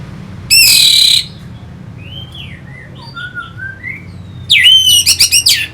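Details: Orange-headed thrush song from Singaraja, North Bali, used as a lure to rouse fighting birds: a loud buzzy rasping burst, soft scattered whistled notes, then a run of sharp, rapid, high chattering notes.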